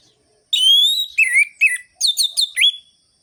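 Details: Energetic song of an orange-headed thrush, sharp and rhythmic in the rolling-and-ringing style, meant to stir lazy birds to sing; opens with a long rising whistled note, then a run of short warbling, slurred phrases.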